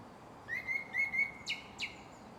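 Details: At Shinano-Oiwake, Japan, a Japanese thrush gives a steady pulsed whistle on one pitch, then two abrupt, piercing downslurred chips, over quiet background hiss.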